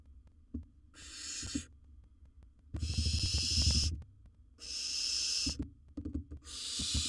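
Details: Four long, snoring hisses from a wild barn owl in a nest box, steady and breathy, with soft knocks and shuffling between them.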